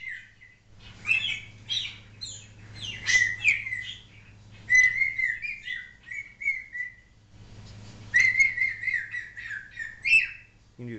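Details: African grey parrot kept as a pet chattering and whistling in bursts: jumbled squeaks and warbles, wavering whistled phrases, pauses between bouts, a low hum in the room.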